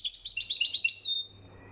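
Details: European goldfinch from Morocco singing a rapid, twittering run of high chirps and trills for about one second, then fading into quiet with a faint low hum.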